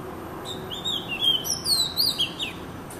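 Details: Oriental magpie-robin singing a short, varied phrase of clear, sweet whistled notes, some sliding up, others slurring downward, packed into about two seconds, with a faint steady hiss in the background.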